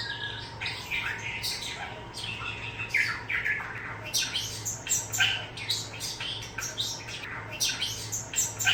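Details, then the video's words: Young pet starling, after four months, chatters in a rapid jumble of squawks, clicks and whistled notes, mimicking new words and sounds learned from an older male starling, over a steady indoor hum. "learned new words & sounds from my older male starling"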